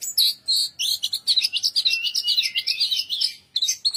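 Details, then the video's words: A bird chirps in a fast, continuous twittering string of high whistled and warbled notes that slide up and down, broken by a short pause near the end before a few more chirps; quiet background. "Bird Chirps"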